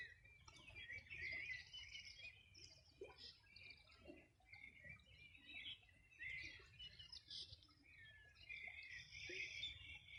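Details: Summer-morning bird chorus at the edge of the Río Bueno, Los Ríos Region, 2020. Continuous busy twittering and chattering notes from many birds run throughout, with short loud pulses of song every few seconds.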